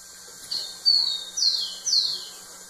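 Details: Rufous-collared sparrow singing to a female. Two thin steady whistled notes are followed by two bright, sweeping downward slurs over a hissy background with a low steady hum.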